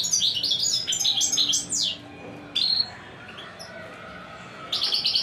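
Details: European goldfinch, praised as a top-class 'royal' singer, delivering fast tinkling, twittering phrases of high liquid notes, then a pause and a brief burst, and more bright chattering at the end; faint low hum underneath.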